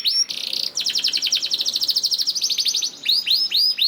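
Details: Canary lure song to get other canaries singing: a buzzy note, then a fast regular trill of high notes, ending in slower looping whistled upsweeps.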